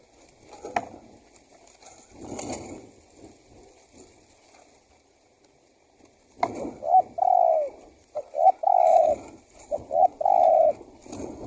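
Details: Spotted dove used as a lure to draw wild doves: after six quiet seconds with faint knocks, several short coos then longer drawn-out coos, each slightly falling, with soft background noise.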